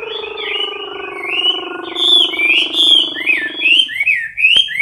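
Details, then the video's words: Caged Chinese hwamei, a male singing in competition style close to the cage bars, gives loud whistled and trilled phrases over a steady low droning harmonic tone that fades out near the end. "Mi mơ hót đấu cực "Đỉnh""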